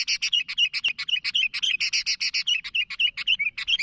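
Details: Sooty-headed bulbul calling to others, delivering a continuous fast series of rough chattering chirps, roughly four per second, some with short whistled downslurs, sustained throughout.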